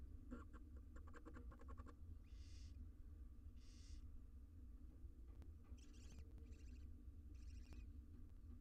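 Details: Wild barn owl nestlings, six in a monitored nest box, begging at feeding time: a burst of rapid ticking chitters opens, then drawn-out rasping hisses and shorter clustered hisses over a low background rumble.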